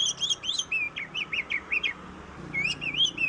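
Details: Oriental magpie-robin singing vigorously as a lure for reluctant birds: looping whistled phrases that rise and fall, repeated in a rapid string, with a short pause before another run of twisting whistles.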